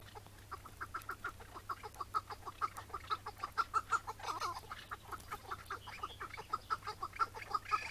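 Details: Chukar partridge, May 2017, morning capture struggle; the bird was set free where caught. A sustained chain of clucking chuk notes repeats about twice per second, swelling midway, briefly broken by a harsher burst, then resuming.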